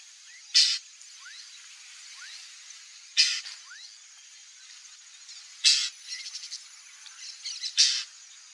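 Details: White-banded mockingbird (Mimus triurus), described as a rare bird, gives four short, harsh, scratchy high notes about every two and a half seconds, with faint rising chirps and steady hiss between them.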